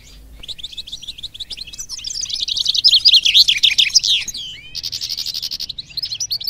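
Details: Goldfinch mule in a cage, hailed as a phenomenon, pours out fast high twittering song that builds into dense buzzy, liquid trills, then a steady rattling trill and further chirps, with a quiet background.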